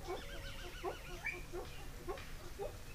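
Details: Captive ring-necked pheasant in a Pakistan pheasantry, caught on camera trap, giving short, soft upward notes about one every half to three-quarters of a second over a steady low background rumble; common pheasant call.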